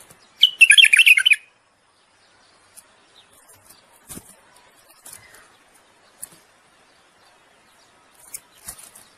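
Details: Common bulbul singing to court a female and stimulate her to breed: one quick, loud burst of warbled, tumbling notes lasting about a second, followed by near silence broken only by faint clicks.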